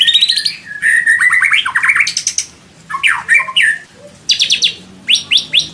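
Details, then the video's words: Song of a white-rumped shama in an Indonesian training recording for caged songbirds: bursts of loud, varied whistles and rapid-fire chattering phrases, broken by short pauses, with some upward-sweeping notes. "MASTERAN MURAI BATU ISIAN MEWAH MATERI FULL TEMBAKAN KOMPLIT TANPA BATUK BATUK"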